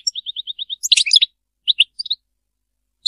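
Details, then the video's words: Short goldfinch song fragment in the Serfati style: a quick row of about eight identical high chips, then a cluster of tinkling twitters and a few scattered notes before a pause. "تغريد رائع للحسون ملك الطيور المغردة تغريد السرفاتي"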